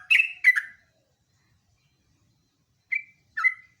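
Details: Two chattering, slurred notes from a sooty-headed bulbul, a lure and master recording in ngeropel style. After a long pause come two shorter clear whistles, one a level note and one a downslurred note.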